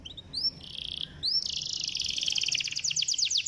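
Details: Canary song meant to stimulate a reluctant canary: upslurred whistles and a buzzy held note, followed by a long dense trill of quick repeated chirps.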